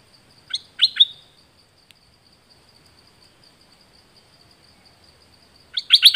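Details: Training song for decoy birds in Thailand: a short burst of three sharp whistled notes, then several seconds of near silence, then another fast burst.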